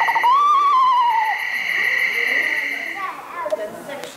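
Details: An Eastern Screech-Owl recording played from tape to an audience indoors: a mournful, quavering whistled wail sliding downward, then a thin, steady trailing tone, echoing in a large room.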